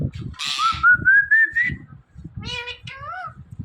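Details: Pet talking parrot repeating the word "Mithu": a sharp burst, then a long rising whistled tone, then two short nasal harmonic syllables, over low rumbling room noise.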